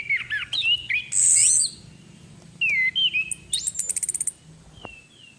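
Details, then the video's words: Lure recording of a female orange-headed thrush: fast, loud warbling whistles and a harsh high burst, then sliding whistled notes and a quick rattling series of sharp high notes before fading. "SUARA PANCINGAN ANIS KEMBANG BETINA PANCINGAN EFEKTIF ANIS KEMBANG NGEPLONG GACOR DIJAMIN BIKIN EMSI"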